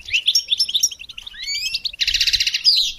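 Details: Goldfinch song used to train songbirds: evenly spaced chirps, then rising slurred whistles, then a loud, fast, buzzy trill of repeated notes closing with a bright twitter.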